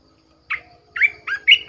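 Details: Decoy red-whiskered bulbul giving a brief run of four rich, slurred notes, the later ones sliding and bubbling in quick succession.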